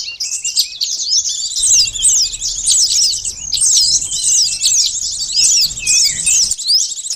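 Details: Sunbird lure song: shrill, rapid twitters and slurred whistles forming near-continuous phrases that rise and fall quickly.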